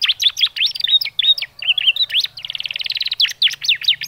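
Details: Canary chirps meant to prompt young canaries into song: a dense, rapid run of high upward-sweeping chirps, broken by a fast buzzy trill in the middle, then more sharp chirps, with faint low hum underneath.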